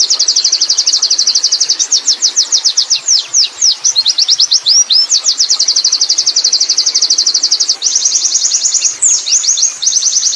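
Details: Ten seconds of continuous ngerol song from a wild Oriental white-eye: long, fast, high-pitched trills broken by stretches of looser downslurred notes, then renewed rapid trilling.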